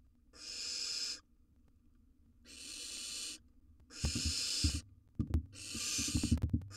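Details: Wild barn owl nestling in a monitored nest box, feeding on a gerbil; long broadband hissing screeches of about a second each, repeated four times with pauses, plus rustling and thumping sounds of movement in the box.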